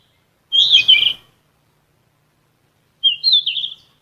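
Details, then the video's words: Two high warbling phrases from a yellow-rumped flycatcher, a bird of shrubs and trees up to 900 m, used to train captive songbirds. Each phrase lasts under a second and is separated by a long silent pause. "BURUNG KICAU"SIKATAN EMAS"(KICAU MANIA)Full Gacor"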